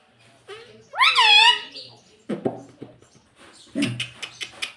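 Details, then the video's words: Pet talking parrot indoors, mimicking words such as "mitthu" and "mummy": a harsh, rising-then-falling nasal utterance near the start, followed by lower voice-like syllables and short clicks in a small room. "Talking parrot - mitthu mitthu - tota - Mummy Mummy - pattu Parrot Talking Mummy"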